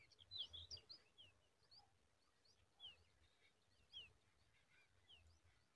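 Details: Yellow-tailed bulbul chicks in the nest crying from hunger as their mother comes to feed them: thin, high chirps in quick scattered bursts, several voices overlapping, over a soft outdoor hiss.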